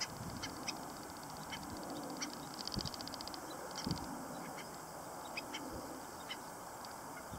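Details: At LaRiviere Marsh, stilt chicks utter short, high, faint peeps in loose runs, accompanied by a rhythmic buzzing background and occasional low knocks.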